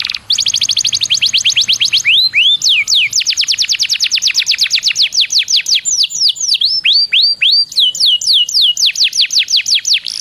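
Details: Canary song used as a lure to get other canaries singing: long fast runs of bright whistled notes, swooping downward sweeps repeated in quick series, then rapid rising-falling trills, loud and continuous.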